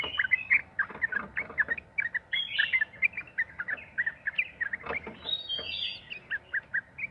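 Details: Sooty-headed bulbul in lively 'ropel' lure song for prompting others to sing. Busy, continuous chatter of short liquid notes with a few higher slurred whistles, over steady background noise.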